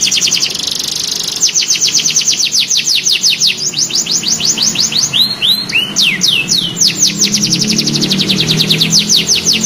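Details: A young canary practising its song: long rapid rolling trills of sweeping high notes, interrupted by a few slower, louder downslurred whistles, then another fast trill, over a faint low hum.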